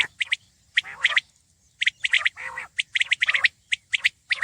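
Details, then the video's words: Repeated staccato triplets from a Common quail (batair), short sharp notes in bursts about once a second, interspersed with a couple of lower rasping notes. "Khobsorat saaf Batair Ki Awaz| Batair ki Awaz , Batair Sound vol 33 , Common Quail Sound 2020"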